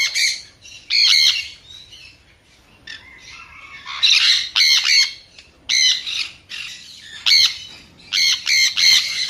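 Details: A sun conure, a Latin American parrot, gives harsh, piercing screeches in bursts of two or three, high-pitched and grating, repeated every second or so with short pauses between.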